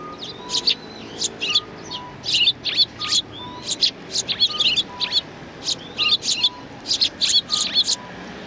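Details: At a Tenmangu shrine on 7 January 2019, sparrows greet visitors with near-continuous high chirping in rapid overlapping bursts, while a soft two-tone beep repeats steadily about once a second in the background.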